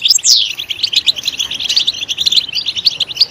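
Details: European goldfinch singing loudly on stimulation: opens with a sharp, falling twittered note, then a steady, rapid run of high, tinkling chirps to the end.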